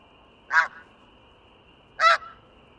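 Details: Snow goose from Wisconsin, two loud nasal honks about one and a half seconds apart, each short and harmonic-rich, over a steady faint hum.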